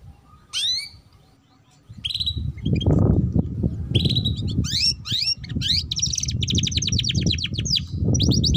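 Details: Young canary in ngeriwik chattering song, used as a lure for young birds learning to sing: sweeping whistles and rapid rattling trills over a steady low rumbling background noise.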